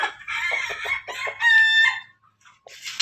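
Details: Pelung and Ketawa roosters crowing together: choppy stuttering crow notes break into a held, clear harmonic tone, then a short pause before another crow begins.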